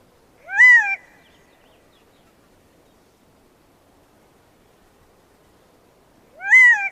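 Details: Gambel's Quail, a flock-dwelling desert bird of dense thickets, giving two loud wailing calls about six seconds apart, each a rising-then-falling harmonic note; quiet background otherwise.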